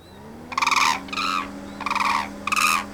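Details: Hooded cranes at a crane observation centre in Izumi, Japan, in December 2024, a family of three with a young bird, calling loudly: four harsh, rattling, trumpeting calls about half a second each over a steady low mechanical hum.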